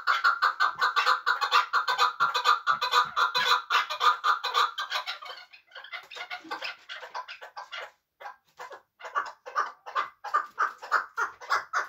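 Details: Muminobod chukar partridge, a hunting bird, giving a dense, rapid chatter of harsh chuck notes that slows into separate, evenly spaced clucks after a short pause.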